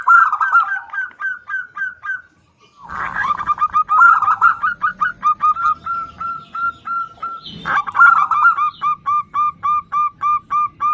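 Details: A female zebra dove (perkutut) calling to a male gives rapid runs of short, clipped, mid-pitched notes, several per second, in repeated bursts, with a couple of brief rustling noises between.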